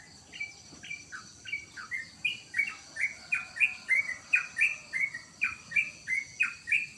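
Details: Sooty-headed bulbul (trotokan) kept at home, singing a steady string of short two-part phrases, a clipped note followed by a lower slurred one. The phrase is repeated about three times a second without letup.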